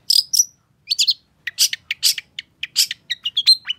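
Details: Energetic long-tailed shrike song, used to stimulate a silent bird into singing. A rapid, varied run of scratchy chirps, squeaky notes and short whistles follows in quick succession over a clean, quiet background.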